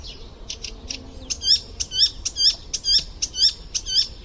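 An Icterine warbler sings a fast run of high, chattering notes, then bright whistled phrases that slur up and down, about two each second.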